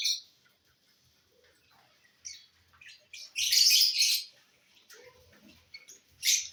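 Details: Lovebirds eating corn, mostly quiet with soft rustling, broken by a loud burst of harsh, high chirping in the middle and a single shrill squeak at the end.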